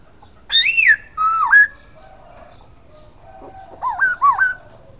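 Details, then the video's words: Silver-eared laughingthrush song of bold whistled notes: a bright arched whistle, a dipping slurred phrase, a pause with a faint low note, then a looping wavy double whistle. "Khướu bạc má hót"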